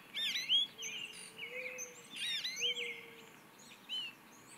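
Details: An American goldfinch, hanging out in an Eastern Red Bud tree, sings a rambling run of high, bright twitters, sweet slurred notes and quick sweeping chirps, with a faint low steady hum underneath.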